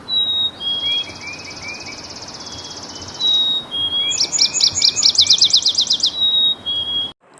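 Yellow-rumped Warbler song: a high, buzzy trill gives way to a quick run of about a dozen sweet, evenly spaced chips. Thin, whistled tones sound between phrases.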